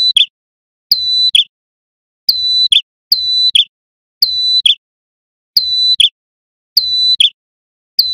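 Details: Sunda warbler, a male singing loudly, used as a lure for small wild birds: a high, steady whistled note held briefly, then a quick, slightly lower chip, repeated about every second, faint low thumps beneath.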